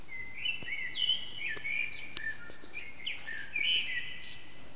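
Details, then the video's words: Common blackbird singing in an echoing backyard in the early morning, around 4:40am, recorded on a mobile phone with the bird out of sight; rich fluted whistled phrases running into squeaky high twitters, over steady background hiss. "Blackbird's morning song, part 2"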